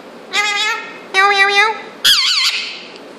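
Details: Indian ringneck parrot, two years old, talking indoors: two sustained speech-like phrases followed by a higher wobbling, squeaky phrase.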